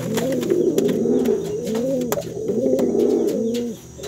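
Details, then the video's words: Brown domestic pigeon cooing to call its female, kept indoors: deep rolling coos rise and fall in a steady chain of short rounded phrases, about four per second, with faint clicks and shuffling in a small room. "SUARA MERPATI MEMANGGIL BETINA"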